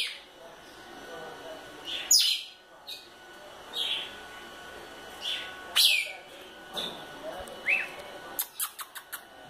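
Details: Female red-cowled cardinal, described as spirited, giving scattered short whistled and chirped notes with some sharp clicks and abrupt broadband bursts, spaced irregularly across the recording.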